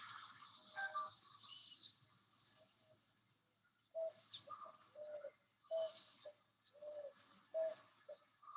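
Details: Eared Dove near Bogotá in Colombia's Andes giving a string of soft, low, hollow coos about every half second, under a steady high-pitched whine and scattered twittering from other birds.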